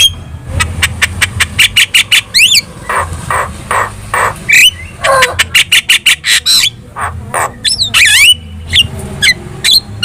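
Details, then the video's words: Javan myna in lively song meant to prompt replies from other birds: sharp ticking clicks in quick runs, harsh squawks and rising slurred whistles jumbled together, loud and continuous over a faint low hum. "SUARA MASTERAN JALAK KEBO GACOR"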